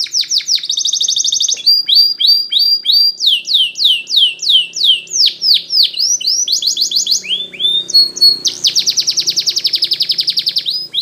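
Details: Training song of a Spanish Timbrado canary: varied tours of rapid metallic trills alternating with series of falling whistled slurs, each phrase repeated several times, with a long fast rattling trill near the end.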